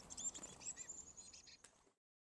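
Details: Black-capped chickadee chicks in a birdhouse on a garage, at least two, fed by their parents; high sibilant hissing chatter and a few brief chirps, then a sharp click before silence.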